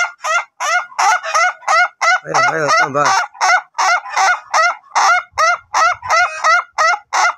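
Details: Ayam Ketawa laughing chicken of the long-crow duration type, in training: rhythmic repeated chuckling notes near three per second, briefly overlaid around the middle by a lower, wavering, drawn-out voice, then resuming clearly.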